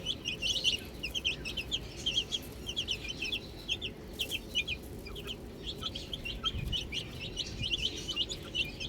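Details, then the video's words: Little chicks at play with a ball, a flock chirping continuously in shrill, quick, slurred peeps, many birds calling at once in rippling clusters over faint low rumble. "Cute Little Chicks Chirping Sounds"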